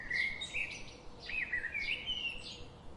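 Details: Birds that visit a garden daily chirping: high, bright chirps and short rising-falling whistled notes come in quick bursts about every half second, over a soft steady background hiss.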